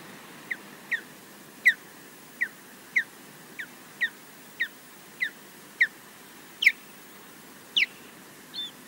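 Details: Osprey defending its nest at Loch Garten, Scotland, against a mostly unseen intruder, recorded by a live nest camera. A steady series of about a dozen short, downward-sliding whistled yelps, roughly two each second, over a soft background hiss.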